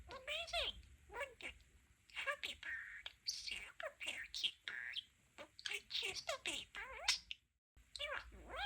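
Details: Pet male budgerigar chatting with its owners, joining its favourite phrases "Amazing" and "Wonderful". Squeaky, rapid talk-like chatter with rising harmonic sweeps in quick bursts and a short silent gap near the end.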